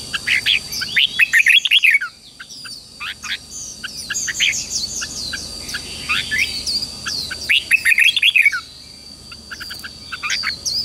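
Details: Training recording of red-whiskered bulbul morning song, meant to spur newly caught birds into fighting song: two bursts of rapid, bubbly whistled notes around two and eight seconds, with quieter chirps between and a constant high whine.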